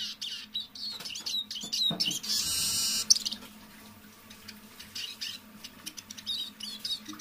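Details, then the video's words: Captive decoy Eurasian siskin singing softly in the evening: high, rapid twittering and chirps, broken midway by a loud rustling burst, then quieter scattered notes. "Песня моего манного чижа"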